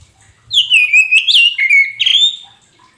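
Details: A caged Oriental magpie-robin of the poci type sings to prompt a silent bird to respond. A loud phrase of varied, liquid whistles opens on a high slide, with rapid flourishes and a closing upward-swept note.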